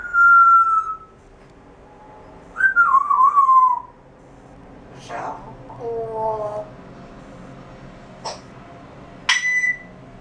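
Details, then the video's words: Indoor talking grey parrot demonstrating its repertoire: a clear whistled note, a wavering whistled phrase, then speech-like syllables and abrupt clicks and pops, with quiet gaps between sounds. "Žako pričalica"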